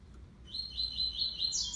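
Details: Six-month-old brown double-collared seedeater contesting song with a black-plumaged bird: a brief, bright, rapid high trill in the classic three-note style, rising slightly at its close above a quiet low rumble.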